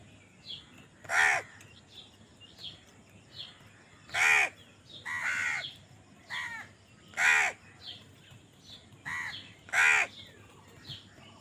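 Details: Crows squabbling over food give a series of loud, grating caws, about seven in eleven seconds at uneven gaps, with quieter calls between them.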